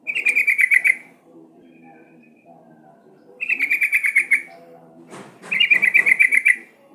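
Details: Lure sound of a sooty-headed bulbul, used to make the bird sing: three separate bursts of rapid, bright chattering notes, each about a second long, with a faint low background rumble between them.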